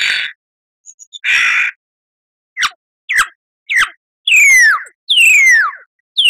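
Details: Lyrebird song for cage birds to learn: two harsh noisy squawks, thin quick chips, then long clear descending whistles.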